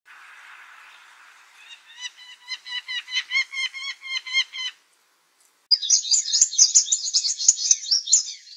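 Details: Purple sunbird in eclipse plumage singing in a backyard garden: a soft buzzy opening, then a rapid, evenly repeated chipping trill, a brief pause, and a burst of very high, thin, jumbled twittering.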